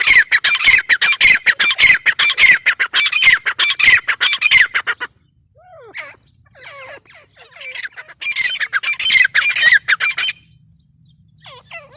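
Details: Grey francolin (teetar) giving five seconds of rapid, harsh squawking, then a quieter stretch of softer, falling notes before another burst of rough calls.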